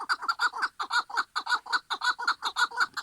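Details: Chukar partridge singing: a rapid, evenly spaced series of about sixteen harsh, mid-pitched chuk notes in three seconds, each with a bright upper ring, and nothing else audible behind them.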